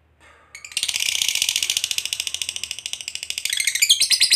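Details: Lovebird in a long ngekek trill used to provoke other lovebirds to sing, a rapid harsh chattering rattle of fast pulses that starts after a brief pause and carries on steadily, turning more scratchy and varied near the end.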